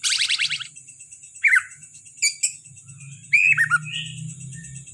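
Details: Kalimantan greater green leafbird in captivity giving a rapid buzzy rattle, then sharp falling whistles and a twisting warbled phrase, over a faint low hum and constant high ringing tone.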